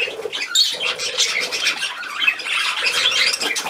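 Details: Pet budgerigars at play, recorded 13 December 2019: dense, continuous warbling chatter with scratchy squeaks and overlapping chirps.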